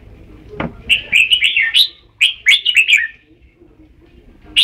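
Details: Red-whiskered bulbul song: a quick run of bright, warbled, slurred notes in two short bursts, each note bending up and down, after a single low thud, with a short whistled note to close.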